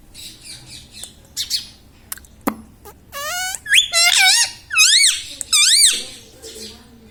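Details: Talking parrot kept as a pet indoors, said to repeat "Mummy" and "Papa"; after soft clicks, a series of four or five loud, rising-falling squeaky syllables with rich overtones in quick succession.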